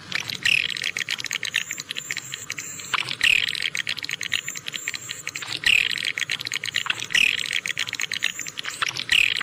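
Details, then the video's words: Swiftlet calls, described as clear, suited to all terrain: short high chirps recurring about every one and a half to two seconds over a steady crackling, clicking background. "suara burung walet jernih cocok semua medan"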